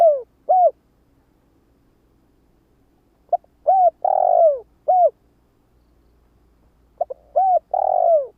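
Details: Spotted dove used as a lure for wild doves, cooing in steady low phrases of short and long hooting notes, the longest note dropping in pitch; three phrases spaced a few seconds apart in otherwise quiet surroundings.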